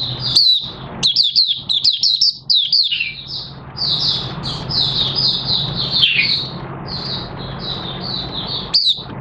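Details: Captive Oriental white-eye, August 2022, new white feathers nearly pigmented; dense high chattering twitters and buzzy slurred notes over a steady low hum throughout.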